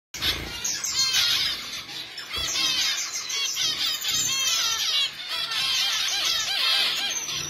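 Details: Finches chirping busily, a dense run of short, bright, high chirps and quick up-and-down notes repeated almost without pause across the whole stretch, with several birds apparently calling over one another.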